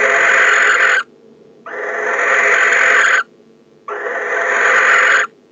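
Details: Male barn owl calling from inside a nest box as the female arrives home in December: three long, harsh, hissing screeches, each about a second and a half, separated by short pauses, the later ones swelling louder toward their ends.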